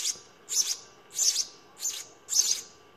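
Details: Young house sparrows in the nest at feeding time, giving a slower series of five high, rasping chirp bursts with short quiet gaps between.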